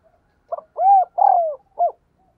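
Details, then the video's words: Eager decoy spotted dove cooing to attract wild doves: a short soft lead-in note, a rising-falling coo, a long downward-sliding note and a brief final coo, clear and close. "Chim Cu Mồi Gù Thúc Bổi Nghe Hăng Nên Và Rất Siêng Gáy"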